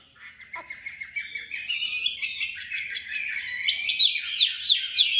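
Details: Competitive song from a tame Chinese hwamei in Hanoi, Vietnam: rapid, crowded chattering and warbling that grows louder, ending in sharp bright whistled notes.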